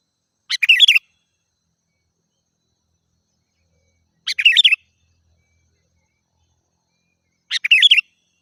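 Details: Sooty-headed bulbul song used as a lure for wild birds: three short, bubbly chirping phrases of quick rising and falling notes, repeated about every three and a half seconds with silence between.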